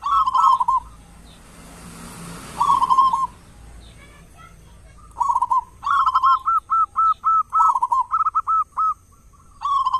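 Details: Local zebra dove with a loud voice, used as a lure in morning and evening to draw other doves into song; short bursts of rapid, rolling coos, then a longer series of evenly spaced clipped coo notes, with quiet gaps between phrases.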